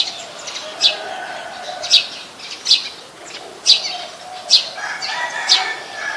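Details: Brown-throated sunbird, Ubon Ratchathani, Thailand, January 2021: sharp high chipping notes repeated roughly every second, each a brief bright tick, with softer chatter between and a low background hum.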